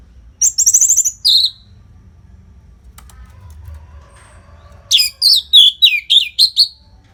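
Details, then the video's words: Orange-headed thrush training song for fighter birds, from Bali: a burst of high rattling trills and a down-slurred whistle, a long quiet gap, then a string of sharp, varied whistled notes about five per second. "SUARA MASTERAN ANIS MERAH GACOR RAPET NO JEDA INI UNTUK MELATIH FIGTHER BURUNG AGAR SELALU FIT"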